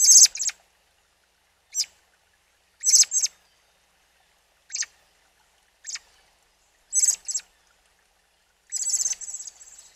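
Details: A newly fledged young robin, out with its mother at a mountain spring in forest, gives short, high, hissy squeaks, some doubled, at irregular gaps of one to two seconds with quiet between them.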